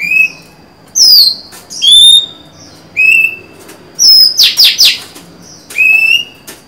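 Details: Female Oriental magpie-robin singing to lure a male, recorded 23 July 2020: clear whistled notes, some level and some slurred, alternate with harsh buzzy rasping bursts, phrases about once a second with short pauses.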